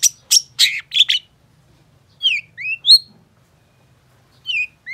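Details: Long-tailed shrike song in an energetic singing state: a burst of harsh, buzzy scratchy notes, then a pause and short clear whistled slurs, some rising and some falling, in spaced pairs, with a faint low hum underneath.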